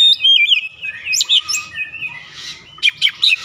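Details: Oriental magpie-robin singing in a lure recording meant to start other birds singing. Bright slurred whistles and buzzy chirps come first, then a short quiet stretch, then a burst of sharp, high, clipped notes.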